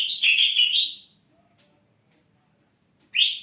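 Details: Ashy drongo, kept caged and said to be used as a lure for other birds, singing day and night: loud whistled phrase around one second long, then near silence and a rising whistled note at the end.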